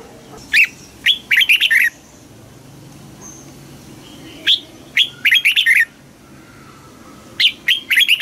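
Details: Red-whiskered bulbul trained to sing in contests gives three loud, lively phrases, each a crisp lead note followed by a tumbling run of quick warbled notes, with gaps of two to three seconds between phrases.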